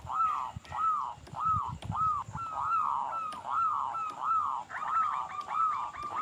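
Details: Zebra dove of a local strain, meant as a lure for other doves: arched, swelling coo notes repeated about every half second against steady hiss and low rumbling, with a thin higher voice joining near the end.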